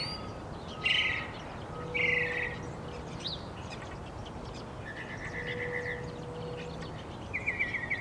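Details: Northern mockingbird song with scattered phrases: a couple of short buzzy bursts, a long even trill, then a rapid ticking trill, separated by pauses, over a low background hum.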